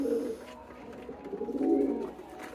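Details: Young domestic pigeons (Columba livia domestica), raised from chicks and now nearly adult, give low, throaty cooing phrases in a small indoor space, calling heavily for about three minutes.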